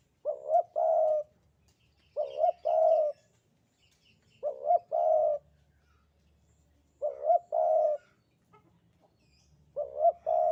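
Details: A Javanese spotted dove repeats its 'sandungan kuk 2' coo five times, roughly every two and a half seconds. Each phrase is a stuttering two-note lead-in followed by a long, level, resonant coo, in a quiet setting.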